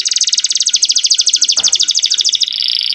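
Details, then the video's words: Young canary in full song, used as a tutor for young birds and to stir hens into breeding: a fast, even rattling trill for over two seconds, then a higher sustained buzzy note, with one soft click midway. "MASTERAN KENARI MUDA GACOR ISIAN DAN BIKIN EMOSI - pancing kenari betina agar cepat birahi"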